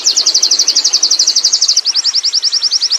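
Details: Wild Oriental white-eye singing a ngerol rolling song: a rapid string of high, even chips for almost two seconds, then a slightly slower run of upswept notes.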